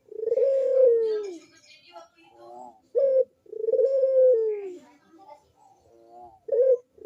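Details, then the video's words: Lure cooing of a Barbary dove, meant to get lazy doves to call: two long, smooth, arching low coos, each closed by a short sharp note, with quiet rolling sounds between them. "PANCINGAN BUNYI PUTER PALING AMPUH UNTUK BURUNG PUTER YANG MALAS BUNYI"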